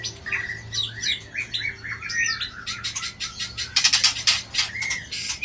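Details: White-rumped shama with a 24 tail flicks its tail at a rival. Soft whistled phrases lead into loud rapid harsh chattering, with a short whistle near the end and a low hum beneath.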